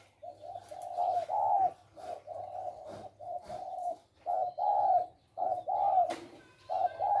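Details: Male spotted doves kept as decoy birds for trapping, calling in captivity: mid-pitched, hoarse cooing phrases in bursts of two to four notes with short gaps, the last notes slightly stressed, over a faint low hum.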